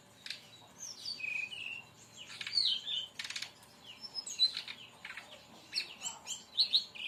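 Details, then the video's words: Brown-chested jungle flycatcher singing, played as a lure and training recording for other birds: a busy medley of sharp clicks, buzzy bursts and clear whistled slurs, delivered in quick irregular phrases. "masteran tembakan burung SIKATAN RIMBA"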